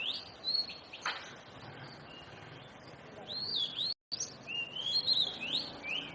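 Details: Oriental magpie-robin singing: bright whistled notes sweeping up and down, in loose phrases with brief pauses, over light background noise and a momentary dropout.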